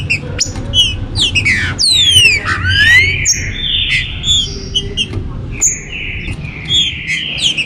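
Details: Green-winged saltators in captivity, 2022 warm-up to stimulate birds: falling harmonic swoops around two to three seconds, then sustained level whistles and spaced chirps, with some low background rumble.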